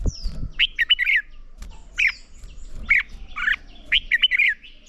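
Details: Red-whiskered bulbul sings in the morning during voice training for competition: short chirpy warbled bursts repeated roughly every second, faint thin high whistles behind, and a low knock at the start.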